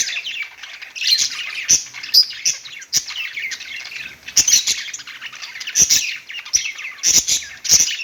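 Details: Budgerigars on a perch keep up a steady scratchy warble, many short chirps and bright clicks layered over one another, swelling and dipping without pause.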